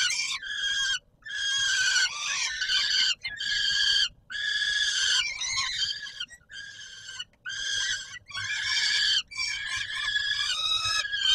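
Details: Peregrine falcon calling around feeding time at the Palace of Culture and Science, Warsaw, Poland, 17 July 2022: repeated rough, shrill wails in bursts of one to two seconds with irregular gaps.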